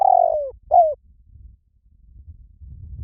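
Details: Spotted dove finishing a phrase with a long slurred descending coo and a short upswept note, followed by faint low rumbling background noise.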